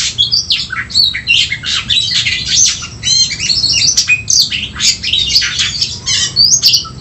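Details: Oriental magpie-robin fight song for rousing emotion: an unbroken stream of high twittering, thin whistled slides and chattering buzzes, quite busy and intense, with faint room hum beneath.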